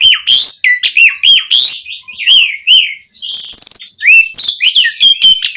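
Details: Asian pied starling (jalak suren) singing a chatty 'gacor' song full of varied 'isian' fill-ins, meant as a tutor and stimulus recording for starlings: rapid run of whistled slurs, harsh buzzy bursts and rising and falling notes with scarcely a pause.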